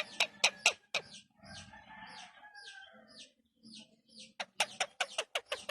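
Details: A pet Indian ringneck (rose-ringed) parakeet that has started talking gives a burst of sharp, clipped squawks, then hoarse, speech-like babble, and ends with another rapid run of harsh notes.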